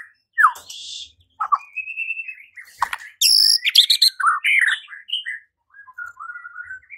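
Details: White-rumped shama, a caged bird provoked to fight and sing: varied rich phrases of whistled slurs near two to three kilohertz mixed with harsh buzzy bursts and sharp high chips, delivered in quick irregular bursts.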